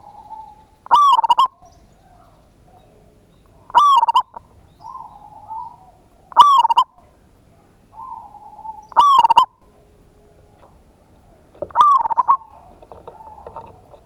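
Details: Zebra dove lure recording, local perkutut singing ngayer kerot nutut style to raise a rival's urge to sing: five loud stuttered cooing phrases roughly every three seconds, softer level coos answering between them.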